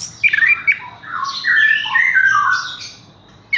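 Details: Horsfield's bush lark kept in a cage, hung up without prior conditioning, delivering a string of mid-pitched warbled and whistled notes, with a loud burst at the start, a sustained phrase in the middle, and a short note at the close.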